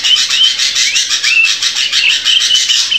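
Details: Drongo song for tutoring captive birds: a continuous dense stream of harsh, scratchy chatter with faint whistled slurs woven through it.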